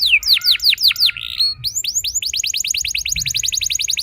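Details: Lure song of a young canary to spark other canaries into long rolls: a handful of steeply falling whistled notes, a brief buzz, then a long rapid trill of short repeated notes.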